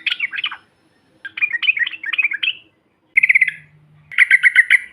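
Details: Yellow-vented bulbuls calling in a group, a recording meant to provoke other birds: separate bursts of fast, rattling chatter, with later phrases of evenly pulsed notes and a faint buzzing tone beneath.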